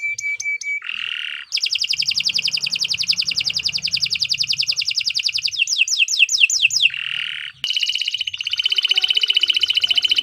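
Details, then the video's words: Canary singing continuous 'gacor' song for training birds. Short thin whistles and a buzzy note lead into a long rapid trill, then downward sweeps, another buzz and a second fast trill. "Kicau Burung Kenari 164 II LUAR BIASA GACOR PANJANG"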